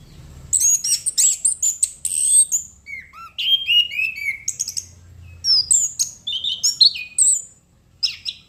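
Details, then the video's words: Lively song from a chestnut-capped thrush, locally anis kembang: clustered high chirps, then descending slurred whistles and varied warbled phrases, ending with a few sharp isolated notes. "Burung Anis Kembang Gacor"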